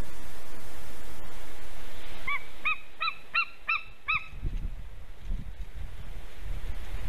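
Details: White-tailed eagle pair at a nest in Slītere National Park, Latvia, 24 September 2020 in the afternoon, male singing to the female around mating; a series of about six sharp, high yelping notes in quick succession over steady wind noise.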